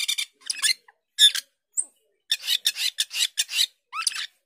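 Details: Asian glossy starling, locally cucak keling, giving harsh, raspy, buzzy bursts separated by short pauses, with one brief high whistle and a rising squeak near the end.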